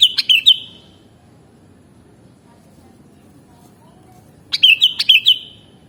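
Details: Sooty-headed bulbul song for mastering: a short phrase of liquid whistles ends the opening second, followed by a long pause, then a fuller repeat of about six bouncing notes.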